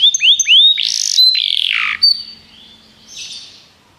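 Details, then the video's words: Canary singing, for song training: a few upswept whistled notes, a harsh buzzy rolling phrase, one level whistle, then fading soft notes and quiet. "Canários Begie cantam muito - o melhor treinamento canário para você"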